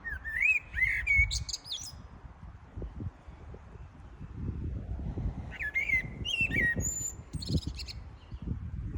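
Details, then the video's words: Birds chirping in spring: clear whistled, slurred notes with quick twittering and higher chirps in two bursts, at the start and again after six seconds, over a steady low rumble of background noise. "Birds chirping sound in spring"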